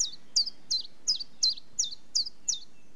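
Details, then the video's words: Chiffchaff song of eight loud, high, sharply falling notes, evenly repeated nearly three per second in a see-sawing two-pitch rhythm, clean with faint low background noise. "Chiffchaff Bird Call - Bird Song"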